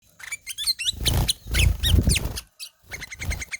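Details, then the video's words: Ruby-throated bulbul (kutilang emas) in ngelowo singing: rapid chattering bursts of sharp, varied chirps and whistled slurs, interrupted by loud low thumping noises, then a run of evenly repeated short notes. "KUTILANG EMAS NGELOWO"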